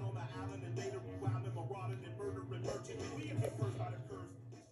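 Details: Rhythmic music with a rapped vocal over a steady bass beat, no animal sounds heard.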